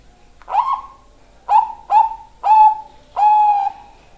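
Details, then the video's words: A zebra dove gives five soft, mellow cooing notes about half a second apart, each starting with a brief rise, the last one drawn out longer. "perkutut suara indah"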